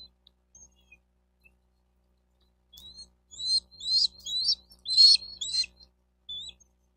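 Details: Bald eagles at a nest in Miami-Dade County, Florida, recorded by nest camera on 4 June 2023 around 12:35; after near silence, a burst of high, thin chirping notes in a quick uneven series for about three seconds.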